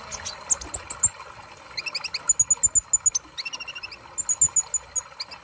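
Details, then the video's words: Sunbird song made of almost continuous, rapid, high chirps and ticks in shifting bursts, some notes doubled at two pitches, with faint water-like hiss throughout. "Terapi Kolibri ninja Malas Bunyi"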